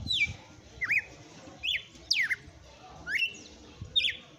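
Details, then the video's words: Red-cowled cardinal in late afternoon delivering loud, clear whistled phrases, each a swooping slur dropping or rising, repeated about every three-quarters of a second with brief pauses between. "Galo de campina cantando no final da TARDE"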